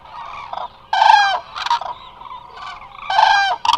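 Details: Resting flock of Eurasian cranes, Hula Nature Reserve, Israel: close, powerful rattling bugles of about half a second, two strong ones separated by softer calls, faint electrical hum behind.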